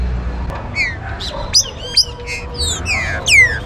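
Green-winged saltator song: rich, slurred whistles that sweep downward, several phrases overlapping quickly, with a low background rumble.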